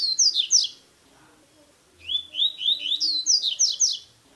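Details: Tui tui style song of a double-collared seedeater, meant to teach or stimulate a captive bird: the end of one phrase, a pause, then a full run of rapid slurred whistles that climb in pitch.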